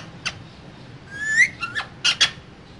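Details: Pair of caged green parrots talking: a short harsh burst, then a drawn-out rising whistle with a second whistled note, followed by two loud raspy squawks close together.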